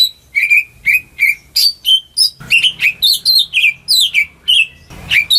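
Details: Home-kept greater green leafbird singing as a lure to prompt silent birds: a run of loud, clear whistled notes, many sliding up or down, roughly two per second, with some higher sharp chirps near the end.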